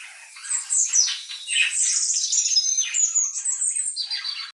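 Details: Pet budgerigars indoors reacting to the birdsong of other species: a continuous, scratchy warble of squeaks and buzzy chirps lasting over four seconds.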